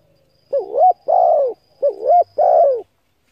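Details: Spotted dove cooing to call up decoy birds: two identical phrases back to back, each a wavering short note and a longer falling coo, repeated about every 1.3 seconds, faint hum behind.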